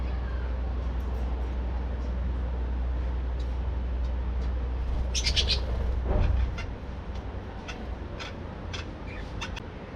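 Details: Aviary colony of budgerigars in morning activity with breeding birds; scattered short sharp chirps and a brief buzzy burst around the middle, followed by a lower tonal sweep, over constant low hum.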